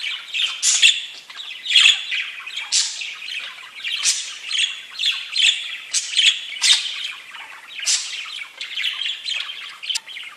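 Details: Parakeets chatter to each other in a continuous stream of harsh, buzzy squawks and high chirps, several birds overlapping with hardly a pause; such singing signals the birds feel safe and content.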